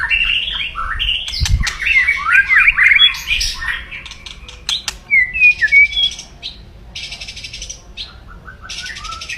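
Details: White-rumped shama, aggressive crackling 'kretekan' song to rouse rivals. A busy burst of twisting whistles and chatter, then sparse notes with repeated harsh hissing rasps.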